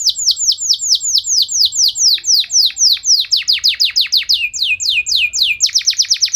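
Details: Singing canary delivering a lively, varied song that stirs other canaries to reply; a run of quick, sharply descending whistled notes, about four per second, with slight shifts in pitch and tempo midway.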